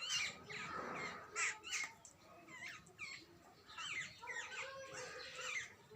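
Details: Jungle babblers, chicks and adults, give rasping, chattering calls in irregular bursts, with some louder harsh notes at the start and a busier chorus of squeaky notes later.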